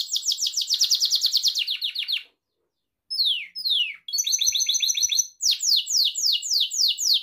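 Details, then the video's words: Gloster canary training song with a long fast run of sliding chirps, a brief silence, two falling whistles, a tight trill, and more rapid downward-sweeping notes. "Gloster Kanarya Kuşunuzun Eğitimi İçin Orjinal Kanarya Sesi Gloster Kanarya Ötüşü Canary Singing"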